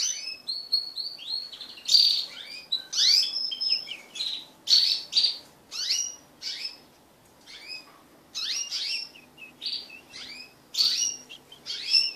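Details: Crested canaries breeding as a group of pet birds sing continuously, with loud piercing whistles, rolling trills and rapid chirps packed into phrases of about a second, broken by one short lull.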